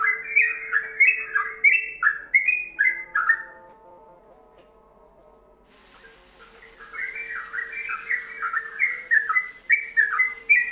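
Yellow-vented bulbul in fast, bubbly, gurgling bursts of slurred notes. The song pauses briefly midway, then resumes, over a faint steady hum.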